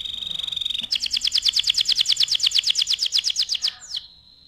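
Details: Canary in full song, used as a tutor recording for other birds: a steady high whistle gives way to a fast, even run of bright repeated chirps, about five per second, ending in a short falling note.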